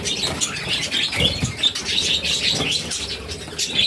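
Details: Hungry budgerigar chicks beg while their mother feeds the brood of six; harsh scratchy chirps and rasps come in uneven bursts, with some soft low rustling or fluttering underneath.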